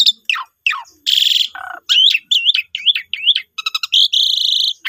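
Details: Asian pied starling lure song meant to trigger other starlings into singing: descending whistles, a harsh buzzy burst, a low nasal note, then repeated wavy whistled notes and rapid chattering trills.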